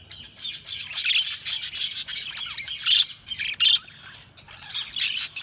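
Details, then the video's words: Budgies chatter continuously with rapid, raspy chirps and squeaky warbling notes, almost without pause, some louder accented chirps standing out from the busy flow. "Budgies Chirping sound"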